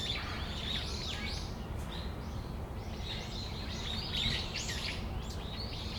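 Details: Several brown-eared bulbuls calling on a December afternoon in Tamagawadai Park. Bursts of shrill, slurred squeals come in loose clusters, with a brief lull near two seconds, over a strong low background hum.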